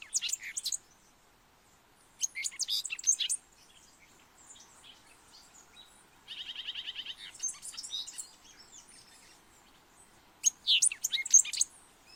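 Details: Colombian thick-billed euphonia singing, a recording used for calling birds: short bursts of high, scratchy chips and twitters spaced several seconds apart, plus one mid-clip stretch of fast buzzy trilled notes, over light background hiss.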